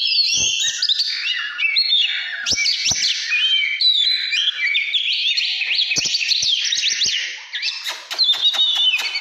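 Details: Căn lửa style song of an Oriental magpie-robin, 2017: fast whistled notes leaping between high and middle pitch, sliding trills and scattered dry clicks, ending in quick chattering bursts.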